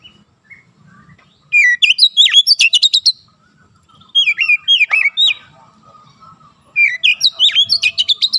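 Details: Oriental magpie-robin (kacer) song played as training therapy for an untrained young bird, meant to bring on fast, dense 'nembak' singing: three loud bursts of sharp whistled, swooping and chattering notes in rapid runs, separated by quieter pauses.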